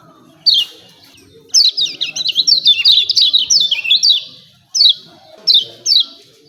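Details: Lemon-bellied white-eye calling 'ciak ciak' as a training lure to make birds sing. A single chirp, then a rapid run of sharp, high, downslurred notes, followed by three spaced single calls.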